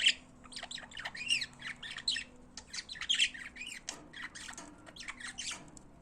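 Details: Pet budgerigars singing: steady rapid warbling of rising and falling chirps, raspy squawks and whistled notes, run together almost without pause.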